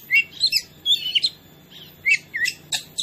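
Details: Oriental magpie-robin (kacer) song used as a training lure to provoke other birds: bright whistled and chattering phrases between 2 and 8k, short bursts spaced by brief pauses.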